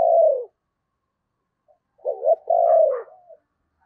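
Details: Caged decoy spotted dove used at Tet to attract wild doves gives a long falling coo, a pause, then a quick double note running into a drawn-out hoarse coo that trails off softly.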